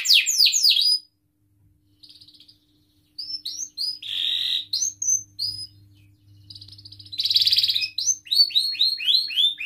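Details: Canary singing, used to prompt other canaries, especially young learners, to sing. A quick run of falling whistles is followed by gaps and scattered chirps, two harsh buzzy bursts, then a fresh series of upswept whistled notes.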